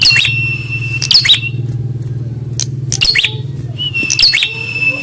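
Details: Prinia in a fighting test against a rival: sharp, descending chip notes in clusters about every second, with steady whistled tones and a strong low droning hum.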